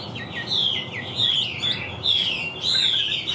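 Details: Caged Chinese hwamei delivering four loud, drawn-out whistled phrases, each a slurred note sliding gently downward, separated by short pauses with faint softer notes between.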